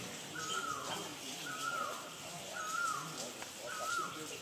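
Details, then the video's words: A great barbet calls four loud, mournful notes, each rising then falling, about one per second, over a steady hiss of background noise. "大擬啄木鳥 Great Barbet calling"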